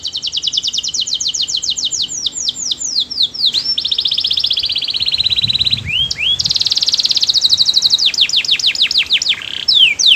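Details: Canary singing sweetly, a song to get other canaries singing too: rapid repeated falling notes, a long steady rolling tour, swooping slurs and a high buzzy passage, continuous throughout.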